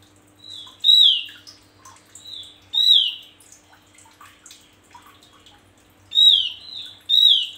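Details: Energetic song of a male Javan grey-throated white-eye, kept for tutoring other songbirds: loud bright high whistles with steep downward sweeps in bursts, separated by quieter scattered chirps; faint low hum.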